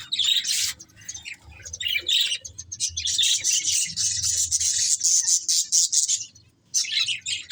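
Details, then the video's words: Breeding pair of budgerigars producing squawky chirps that build into a long continuous scratchy warble, ending after a short pause with renewed twittering. "Cute Budgies Chirping Sounds | Love Birds Breeding Pair"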